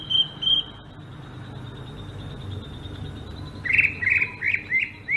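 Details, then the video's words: Ngerol-style song of a Sumatran greater green leafbird: two short high whistles open, a quiet stretch follows, then a quick run of bright, slurred chirping notes closes the phrase over a low hum. "kicau burung cucak ijo sumatra ngerol"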